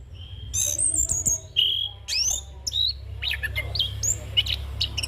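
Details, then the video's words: Orange-headed thrush, a young bird, in rolling song full of fills for training and luring: clear whistled notes and quick upward slurs with short gaps, over a steady low hum. "Anis Kembang Ngeroll Full isian - Masteran dan Pancingan Burung Anis Kembang Muda"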